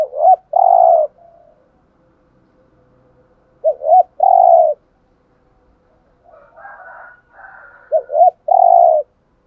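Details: A spotted dove decoy bird repeats its thúc gù cooing three times: each phrase is a quick pair of hooked low notes followed by a sustained buzzy coo. A softer, higher coo from a second bird is heard between phrases.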